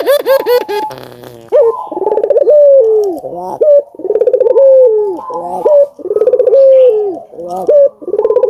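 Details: Collared dove (burung puter), albino, singing vigorously to prompt other doves into calling; after a brief burst of sharp chirpy notes, rolling pulsed coos ending in long falling tones repeat about every two seconds.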